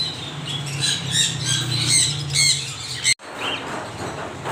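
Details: Parrots giving a busy run of harsh, high squawks and chirps over a steady low hum for about three seconds, broken by a sudden cut, followed by quieter scattered calls.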